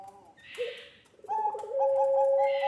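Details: Pelung Barbary dove on a lure recording for young birds: a short low note, then a quick stuttered run that leads into a long, loud, steady coo with faint upper tones.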